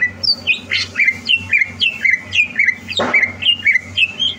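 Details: Greater green leafbird (Chloropsis sonnerati), a competition-ready bird, sings a fast, varied run of clear whistled and chattering notes, about two phrases a second, with some low background hum.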